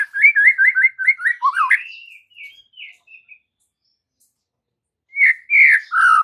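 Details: White-rumped shama song from an afternoon lure meant to make juvenile shamas answer: quick repeated looping whistles, trailing softer notes, silence, then loud rich whistled phrases.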